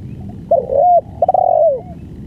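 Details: Spotted dove giving a long-duration song: a soft, low two-part coo, a short lead-in note sliding into a held tone, then a stuttered start swelling into a longer falling coo, over low rumbling background.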